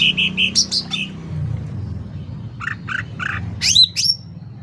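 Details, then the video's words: Loud, lively sooty-headed bulbul: a run of short high notes, then blocky mid-pitched chips repeated about three times, ending in sharp rising and falling whistled chirps, over a low background rumble. "Suara Cucak Ranting Gacor Volume Keras"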